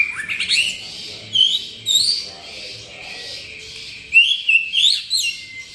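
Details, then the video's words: White-rumped shama in gacor song: separate clear whistled phrases, some sweeping upward, others short high chips, spaced by quiet gaps over a soft low hum. "burung murai gacor"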